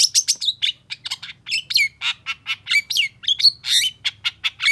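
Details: Long-tailed shrike singing energetically, excited and quickly answering a rival shrike: a rapid run of harsh, buzzy bursts mixed with short high whistled notes, packed closely with almost no pauses over five seconds.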